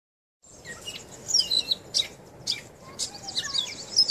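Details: A gray catbird singing on and on at Point Pelee National Park, Leamington, Ontario, gives a jumbled run of short, varied high chirps and squeaky notes, several per second, with faint low background noise.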